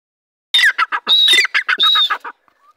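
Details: Grey francolin calling loudly in a lively style: a harsh, buzzy phrase of rapid pulsed notes lasting under two seconds, with a few strained upper tones running through it. No other sound comes through.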